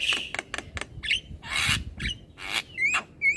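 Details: Young black-winged myna singing continuously while bobbing its head, mixing harsh broad rasps, clicks and short upslurred whistles, ending with two clear rising whistles.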